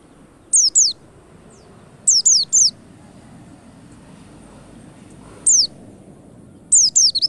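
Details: Repeated white-eye whistles used as a lure to make the birds sing quickly: a pair, a triplet, a lone note and a closing triplet of thin, steeply falling high notes over faint background noise.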